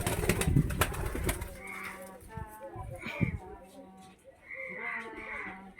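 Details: Pigeon cooing indoors: low, throaty harmonic coos in repeated phrases, mixed with a voice and some clattering noise at the start.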